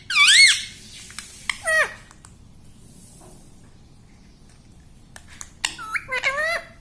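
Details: Household talking parrot copying words such as "mummy": squeaky high rising-and-falling phrases at the start, a short drop-off squawk, a quiet gap, then a run of quick bent chirpy syllables near the end.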